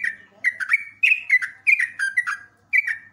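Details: Yellow-vented bulbul (trucuk) singing on a tutor recording for cage birds: short, rich gurgled phrases, each a quick dip and rise, following about every half second, with a brief gap near the end.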